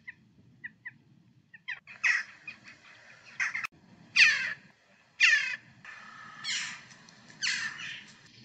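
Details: UK Western jackdaw gives short, metallic 'chack' calls, some sharp and zingy, others harsher and drawn out, spaced about a second apart with a soft low hum behind.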